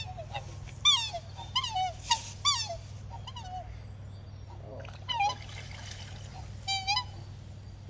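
Black swans give high, musical bugling notes that dip at the end, about seven calls in eight seconds, over a steady low hum.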